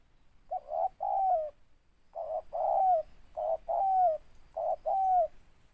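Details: Spotted dove (tekukur), a local bird with a big, raspy 'ngeruk' voice with 'tindan' notes: paired coos, a short burst then a longer note with a bending tail, repeated in groups with pauses, over a faint steady high whine.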